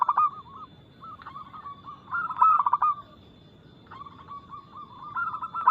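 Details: Local zebra dove singing a fast, loud cooing song, used as a lure to prompt other doves to sing. It gives soft rolling trills in several phrases, with louder stressed notes in the middle.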